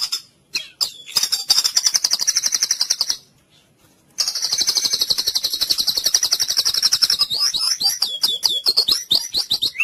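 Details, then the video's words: Full cililin singing of a white-rumped shama, played to train other birds: sustained, very rapid high trills lasting several seconds, one short silence, then a trill ending in a run of sharp upslurred whistles. "MASTERAN MURAI FULL CILILIN"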